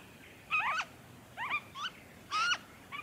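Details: Three short, loud bursts from a noisy friarbird, Victoria, Australia, February 2023, each a rasping, twisting note with strong overtones, separated by near-silence.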